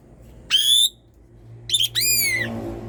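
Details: Asian pied starling in full, persistent song, used to prompt sluggish birds into singing: a rising harmonic whistle, a pause, then a short burst and a long falling whistled note.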